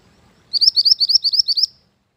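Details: {'caption': 'Mantenan gunung bird used for luring and as a training master song, uttering about ten quick, high, upward-flicking chirps in a tight even series lasting just over one second.'}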